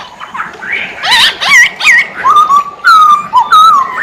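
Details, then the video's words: Masked laughingthrush singing lively, with harsh nasal notes leading into a run of bending, whistled phrases. A long level whistle follows, then further slurred notes. "Poksay hongkong gacor kicau poksay hongkong gacor mp3"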